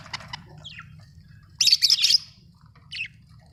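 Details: Budgie chirping: a faint high twitter, then a dense burst of scratchy, buzzy chirps lasting about half a second, and one short trailing chirp near the end.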